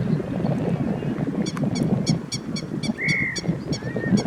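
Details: Adult grey-headed lapwing standing guard near chicks, Kyoto, late April: a rapid series of sharp, ringing notes, with a thin drawn-out whistle from another bird over rumbling background noise.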